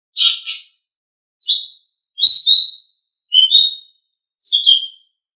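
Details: Asian pied starling song used as a tutor for pet birds: five separate notes, a harsh rasp followed by clear whistled chirps about one second apart, against silence.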